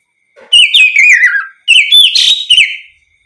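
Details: Oriental magpie-robin giving loud ngeplong song intended to prompt other magpie-robins to answer. Two whistled phrases each slide gradually downward in wavering notes, separated by a brief gap, the second ending with a harsher, buzzier burst.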